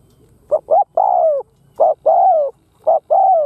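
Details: Lure spotted dove cooing to draw in wild doves: hollow low phrases of two brief notes leading into a long sliding-down coo, repeated three times in quick succession.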